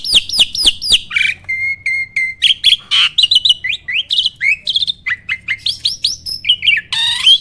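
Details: Starling song played as a training recording to spur other birds into singing: rapid run of loud descending whistles, then varied chattering notes, rising whistles and harsh bursts in quick succession, ending with a warbled phrase.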